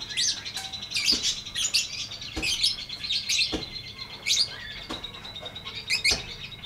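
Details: High, shrill lovebird chirps in the ngetik ngekek style, delivered in jerky clusters with short pauses, some notes dry and clicky, others squeaky and bright, over a faint constant hum.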